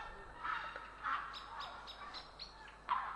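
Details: Grey heron recorded in Estonia, April 3, 2017: a few coarse, grating squawks, the last one loudest, among a string of high, short chirps from other birds and a constant low hiss.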